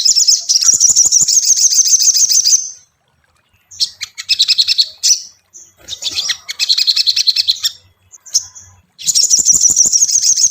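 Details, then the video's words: Crimson Sunbird song used as a lure to make caged birds sing: a rapid, high buzzy trill, then pauses and bursts of sharp, thin chirps and rattles, ending with another fast high trill. "SOGON PANCINGAN mp3 Cocok untuk melatih mental sogon lekas bunyi"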